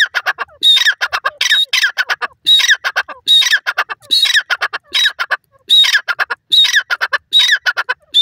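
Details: Dakhni teetar, or grey francolin, in a steady run of loud harsh phrases, each opening with a sharp high whistle and trailing into a fast series of clipped repeated notes, about one phrase per second.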